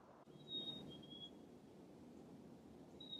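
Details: Black-capped Chickadee on a winter nature walk in Canada, giving clear whistles: a high pure note, then a slightly lower one, and a high note again near the end, over a steady outdoor hiss. Male chickadees call their mates this way.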